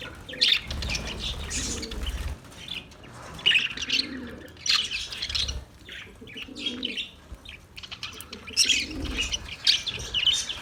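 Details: Australian parrots calling in a lively group, with clusters of sharp high chirps rising and falling in loudness, and deep soft cooing sounds in the background between bursts.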